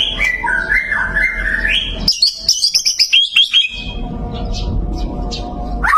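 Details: White-rumped shama singing, praised as a show bird with varied song: sliding whistled phrases, then a burst of rapid high chips and trills, over steady low background hum.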